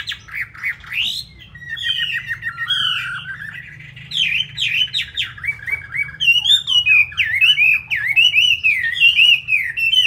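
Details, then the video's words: Loud song of a caged Chinese hwamei in Hanoi, Vietnam, a bird kept for fighting: fast strings of repeated whistled notes give way to rolling, warbling phrases of rising and dipping whistles, with steady low background hum. "Họa Mi thuộc to đấu tốt"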